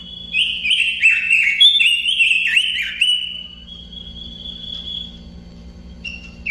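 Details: Robin song of fast, twittering whistled notes in the first three seconds, then a long thin sustained whistle that fades, and a short whistle near the end; low hum throughout.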